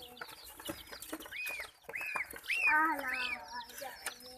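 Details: Chicken chicks frightened by attacking ducklings and a puppy give rounded, arched chirps in a short series, rising to a louder rich squeal midway, over a background of thin high peeps.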